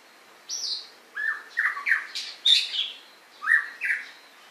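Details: White-rumped shama in a loud, varied song with emphatic notes: slurred whistles, downward sweeps and harsher squawk-like notes, delivered in separate bursts about every half second in a quiet setting.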